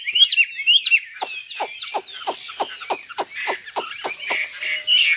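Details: Nightingale singing: it opens with rapid, varied warbled whistles, then gives a run of about ten sharp, loud, repeated notes at roughly three per second, and closes with a bright, dense burst of song.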